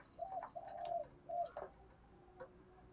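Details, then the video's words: Spotted dove lure bird repeating the 'thúc gù' call to provoke wild doves, heard more distantly: low level coos and a longer hum over a steady background hiss and faint rattling noise. "Tiếng chim cu gáy kích bổi hàng ngày [ Thúc GÙ, BÀI BẢN ] cu mồi thúc gù giọng hay"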